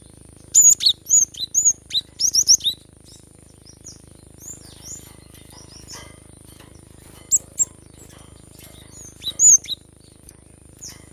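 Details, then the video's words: Cinereous tit singing loudly, played to get lazy birds singing: an opening run of high sweeping chirps and twittered phrases, then quieter scattered notes and a final bright burst, with faint steady hum beneath. "Gelatik batu gacor ‼️mengatasi burung malas bunyi"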